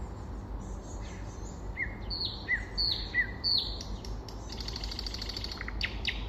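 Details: Common nightingale in spring: paired whistled notes dropping in pitch repeat about three times, followed by a fast buzzy rattle and sharp clicks, over low steady noise.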